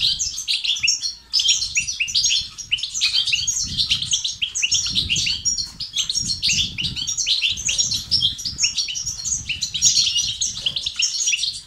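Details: Long unbroken goldfinch song of the 'tibtiba' and 'sitsat' kind, played to activate male goldfinches and end their silence: dense, tumbling high twitters and trills with brief pauses, soft low noise beneath.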